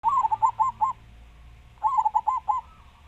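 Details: Local zebra dove (perkutut) from Java, a loud, big-voiced singer: two cooing phrases, each a quick run of about five rounded, bubbling notes, separated by roughly a second of quiet, over a faint steady low hum.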